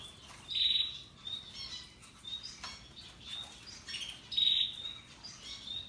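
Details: Russian yellow and Timbrado canaries singing happily: two short loud high rolled trills nearly four seconds apart, with quieter scattered chirps and twitters between them.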